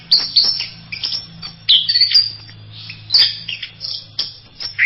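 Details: Orange-headed thrush (anis merah) singing a varied masteran song: quick bursts of high chirps and short whistled phrases, broken by brief pauses, over a steady low hum.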